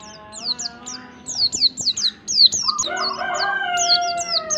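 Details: White-eye song meant to stimulate other white-eyes to sing: a string of high, quick, falling chirps, then a lower, sustained, layered tone from another bird enters beneath them.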